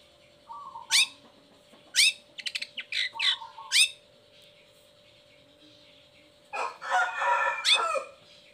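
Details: Long-tailed shrike song used as a lure to get lazy or moulting shrikes singing: sharp rising whistled sweeps about once a second, mixed with lower notes and quick stutters, then a harsh scratchy chattering burst, over a faint steady hum.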